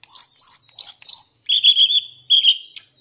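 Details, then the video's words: Long-tailed shrike song from a master recording used to tutor captive birds: high sustained warbling whistles in several linked phrases, dropping to a lower, steady buzzy trill, then one brief high note. "Masteran Cendet Full Isian Nembak Mewah Terbaik 2023"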